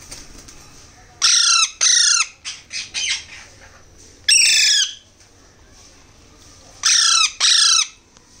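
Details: Alexandrine parakeet chicks being hand-fed, giving loud harsh squawking begging calls in bursts of about half a second, often paired, separated by quieter softer calls and pauses of a few seconds.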